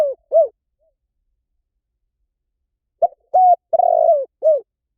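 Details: Spotted dove call: the falling tail notes of one phrase, then a long silence, then a full four-part coo of short note, level hoot, drawn-out burry coo and a falling close.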